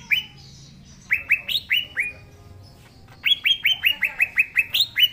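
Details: Actively singing green leafbird, natural voice meant to stimulate young birds: a single slurred note, a short cluster of four whistles, then a long rapid string of about ten clear falling notes.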